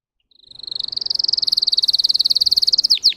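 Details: Song of a Russian canary, a caged bird bred to sing: a high trill starts softly, swells to full strength and rolls evenly, closing with a few quick dropping notes.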